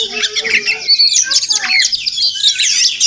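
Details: Murai Kampung, the Oriental magpie-robin, a wild village bird that visits a house every morning: a rapid, melodious jumble of high whistled and chattering notes with quick slurred phrases.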